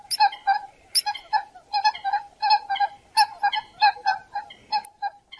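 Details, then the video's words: Coot calling, a sound used for hunting: a rapid series of nasal, honking notes repeated about every third of a second, steady and insistent, with no other clear sounds. "Coot Bird Call, Hunting Coot Bird Voice"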